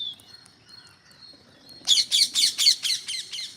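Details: Green parrots gathering in growing numbers; after quiet thin whistles, a run of about eight loud, harsh, raspy squawks follows in quick succession, roughly four per second.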